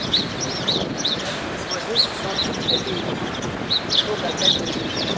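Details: Sparrows nesting under a statue's hair at Saint-Germain-des-Prés church, Paris (3 males, 2 females, two males skirmishing), give sharp, high chirps in quick, uneven bursts over a steady city traffic hum.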